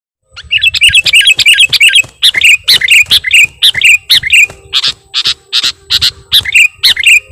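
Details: Sooty-headed bulbul (kutilang) singing a vigorous lure song full of imitated phrases: rapid high chirps and twittering notes in quick bursts, some buzzier harsh notes midway, continuous throughout.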